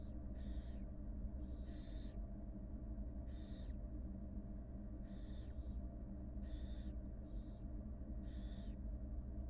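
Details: Two newly hatched barn owl nestlings fed by their wild mother on live camera; about eight harsh, breathy screech-hisses, some doubled, repeat irregularly every second or so against a continuous low electrical hum.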